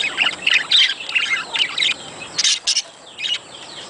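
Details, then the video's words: Budgerigars calling to encourage breeding: a few bursts of scratchy chirps and squawks, then sharper clipped notes and quieter gaps toward the end. "صوت يحفز البادجي للتزاوج"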